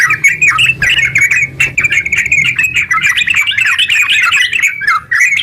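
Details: Rapid, long yellow-vented bulbul song used to make other bulbuls sing; chattering, bubbling phrases with brief dips in volume, rising and falling notes, and a low hum in the background.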